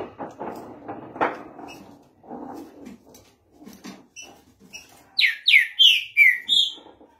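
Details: Green-winged saltator song: after several seconds of muffled rustling and thumps, a fast phrase of five bright whistles, each dropping sharply in pitch, ends with a level final note.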